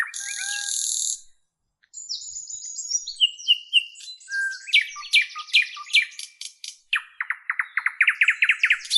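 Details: Birds chirping: a harsh buzzy burst, then descending whistled notes and a quickening series of sharp repeated chirps.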